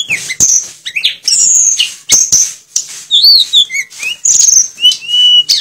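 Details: Sulingan, also called tledekan, singing energetically with mimicked phrases of other birds: a fast jumble of high, sharp whistles and chirps, some drawn-out and wavering, with brief clicks between phrases.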